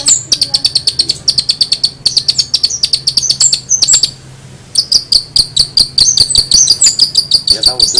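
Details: Long-tailed shrike song: a dense run of sharp, high chirps repeated several times per second. There is a brief pause near the middle, and a faint low hum sits underneath.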